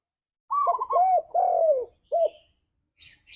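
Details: Spotted dove known as tekukur, used as a lure for singing pet doves; a single phrase of a quick trilled opening, two long hollow coos and a short final coo, with a faint chirp afterward.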